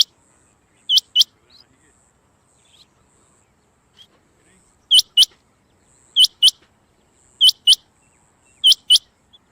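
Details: Rain quail recorded in 2024 gives sharp, high metallic notes in quick pairs, each pair repeated about every one and a quarter seconds, over a faint high hiss.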